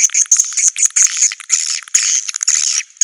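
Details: Swiftlet sounds intended for a swiftlet house: rapid, overlapping buzzy chirps with thin high whistled edges, pouring out in a continuous chattering twitter.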